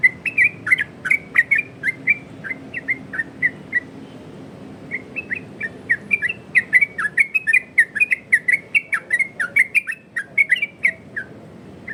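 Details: Yellow-vented bulbul in the loud 'ropel' style meant to make other bulbuls respond. Chattering whistled notes at first, a short lull after four seconds, then a faster, denser burst of tumbling phrases toward the end.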